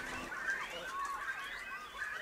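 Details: Young Great Cormorants beg for food in a steady, overlapping chorus of harsh, nasal squawks and chattering wails, from a colony of about 55 nests close by at Parc du Marquenterre, Somme, France.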